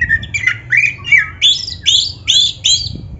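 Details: Oriental magpie-robin, black-breasted form, song played to spur caged birds into singing: bright whistled phrases climbing from mid to high pitch, roughly eight notes in quick succession, each a short upslurred or looping whistle.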